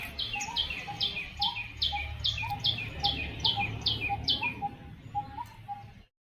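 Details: Sparrows chirping in a lively, steady run of bright high notes, a little over two per second, over a low background rumble, at a peaceful temple in Medchal, Telangana, near a large peepal tree and small park.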